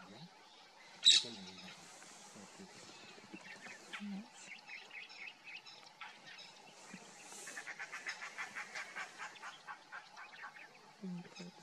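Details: Grey francolin, locally safed teetar, in dry grassland at Hinauta, Panna National Park, central India, giving soft covey contact clucks: a rapid run of short dry clucks in the latter half, a sharp loud click early, faint low murmurs.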